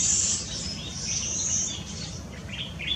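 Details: Yellow-fronted canary at Tanji Bird Reserve, Gambia, recorded 12/4/2018, singing a high, continuous twittering song of thin sweeps and quick chirps over a steady low background rumble.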